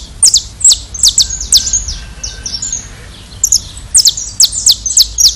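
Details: Song of a saffron finch (canário-da-terra) in Brazil: bright, steeply falling high chips in quick runs with short trilled links, a brief pause midway, then another fast burst of chips.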